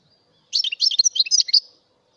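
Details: European goldfinch of a mutation variety in continuous high, tinkling twitter, a jumble of quick chirps and short liquid notes lasting over a second, with no other sounds present.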